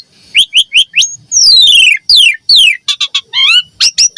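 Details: Javan pied starling song used as a lure to draw responses and as a master recording for training young starlings: a varied run of loud whistled notes, short repeated chirps, long descending slurred whistles and rising bright phrases.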